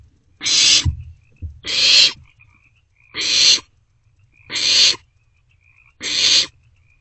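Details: Barn owl chicks in an owl box on 27 March 2024 at night, passing a vole back and forth; five harsh hissing screeches about every second and a half, with low thumps and faint high chittering.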